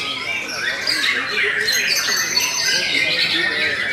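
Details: Stable-singing Belanda white-rumped shama pours out rapid, jumbled chatter mixed with short piercing whistles and harsher squawk-like notes, steady in loudness.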